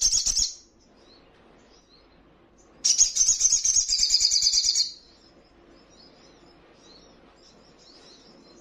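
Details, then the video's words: Songbird (sogon) song used to provoke other birds into answering: a high, shrill, rapidly chattering phrase, a brief burst at the start, then a louder two-second run of fast, buzzy notes, with a quiet pause between. "Sogonmu bermental Bagus..Dalam hitungan Detik,pasti langsung ikut Nyaut dan Ngleper"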